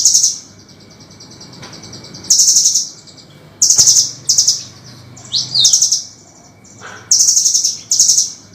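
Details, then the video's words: Master recording of a velvet-fronted nuthatch, meant for songbird training: short bursts of fast, shrill, high trilled notes separated by pauses, with a few brief chirps between the bursts. "Suara Masteran burung rambatan gacor | masteran Burung kecil terbaru | suara masteran kasar tajam"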